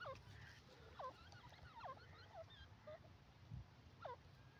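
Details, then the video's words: Yellow francolin, locally called Irani teetar, calling: a series of short downward-sweeping whistled notes, repeated irregularly with a faint low rumble beneath. "irani teetar ki awaz yellow francolin voice"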